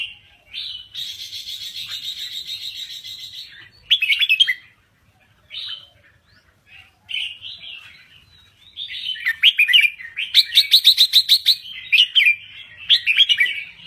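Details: A red-whiskered bulbul of Thai stock sings busily. A sustained buzzy, harmonic-rich phrase comes first, then rapid chattering notes. After a pause, repeated bright warbled phrases climb and fall.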